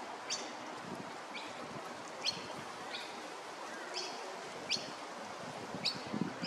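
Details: Masked lapwing chick, Maroochydore, Queensland, repeating thin, high peeps roughly every half second to second, about a dozen in all, over faint outdoor hiss and some low rumbling near the end.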